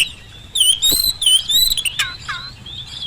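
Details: Oriental magpie-robin song as a lure for quiet birds: a flowing, sustained whistled warble with wavering pitch, a few sharp clicks, and lower down-slurred notes near the end.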